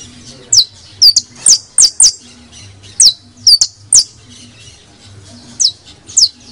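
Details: Criollo canary uttering scattered sharp downward-slurred whistles and a few hooked notes, in irregular clusters separated by short pauses, with faint low hum.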